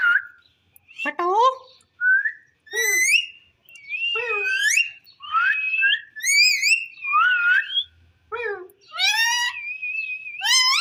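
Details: Indoor pet rose-ringed parakeet giving a busy stream of bright whistles and squeaky upswept notes, some steady and tonal, others rapid harmonic chirps, nearly continuous over ten seconds.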